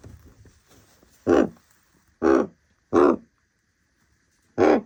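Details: Common raven giving four loud, harsh, hoarse croaks, each short and rasping with a rich throaty tone, spaced unevenly about a second apart after a quiet start, with no other sounds.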